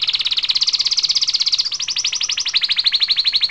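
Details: Canary singing a rapid rolling trill of high repeated notes, then switching to a slightly slower, sharper trill of distinct pulses that continues to the end.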